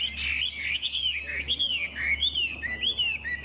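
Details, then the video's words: Chinese hwamei sings a rich, fast stream of loud whistled notes that slide up and down between warbled phrases, over a steady low hum. "Họa mi đẹp hót hay"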